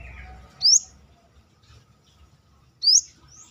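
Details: Brown-throated sunbird outside its cage, used as a song tutor, uttering two crisp rising whistled notes about two seconds apart against a quiet background.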